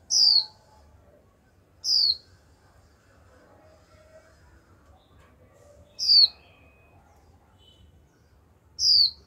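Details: Female Japanese white-eye kept as a cage bird, calling 'chíu' over and over to get a male singing: four short, piercing, high whistles, each slurring downward, spaced two to four seconds apart in near silence.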